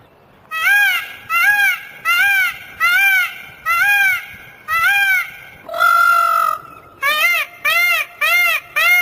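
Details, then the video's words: A black peacock (Indian peafowl) gives loud, nasal, trumpeting calls, short arched notes about every second, with one longer, flat, wailing note partway through. "Sound of Black Peacock"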